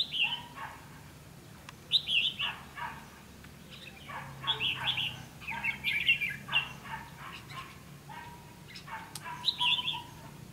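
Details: Red-whiskered bulbul at a bird trap on 9 September 2016, giving bright chirpy song phrases of quick warbled notes, some reaching high, delivered in bursts about every second with short pauses, over faint low background hum.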